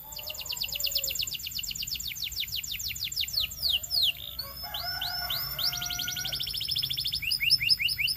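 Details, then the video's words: Belgian canary in full song: a steady train of quick falling whistled notes, a few sweeping slides, then bouncing rows of rising chirps growing louder toward the end. "Belgian Canary Tempts All Canaries to Sing!!!"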